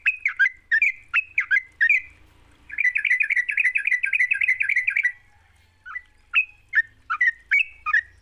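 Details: Sooty-headed bulbul song as a lure for a silent bird: spaced, sharp whistled phrases, then a continuous two-second stream of fast trilling chatter, then more separate phrases.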